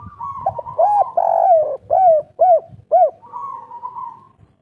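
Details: Three-note local spotted dove giving a soft, mellow cooing phrase: a longer drawn coo then a series of short, evenly spaced coos, against a steady faint hum.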